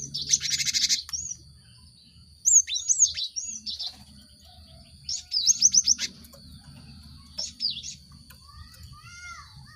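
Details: Cinereous tit lure song for prompting caged birds to sing. A loud rasping buzz, then bouncy up-and-down whistled notes, a rapid stuttering series, and short chatters spaced by pauses. Softer rising whistles from another bird come late. A high hum runs throughout.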